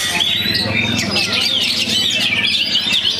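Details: Young Oriental magpie-robin from Perbaungan, singing after its moult: a continuous, varied stream of bright chirps and quick whistled phrases, high and busy throughout, over a low background murmur that resembles voices.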